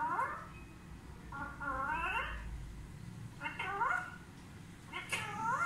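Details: Talking parrot kept as a pet, watching television at home. Four drawn-out, wavering harmonic utterances bend up and down, spaced roughly a second apart, against steady low indoor hum.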